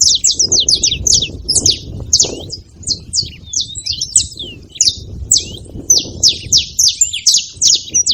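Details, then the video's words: Several saffron finches gathered at a feeding spot, giving dense, sharp, high chirps that overlap almost continuously, with a soft low rumble of background noise underneath. "Canarinhos fazendo barulho na seva"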